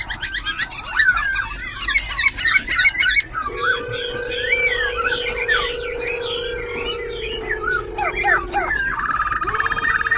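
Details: Caged white-browed laughingthrush at Tân Túc, Bình Chánh, Ho Chi Minh City, singing while dancing with tail and wings and switching voice continuously; fast, varied whistled phrases and chattering notes, with a steady low hum running underneath for several seconds.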